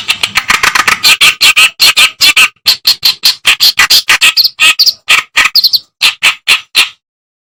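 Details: Reed warbler song meant to teach songbirds such as shama and green leafbird: a sustained, fast stream of harsh clicking and grating notes, with occasional higher, squeakier whistled notes, slowing near the close.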